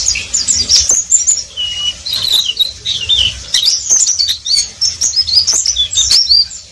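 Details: Oriental white-eye (pleci) in continuous twittering song: a dense flow of high, thin chirps and short slurred whistles, with a few lower drawn-out notes mixed in and soft low background rumble.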